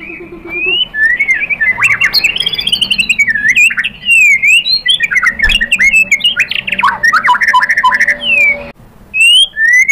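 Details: White-rumped shama in a long, excited answering song. Rich whistled phrases slide up and down almost without pause, mixed with harsh squawks and twittering, before a short silence and a final rising whistle.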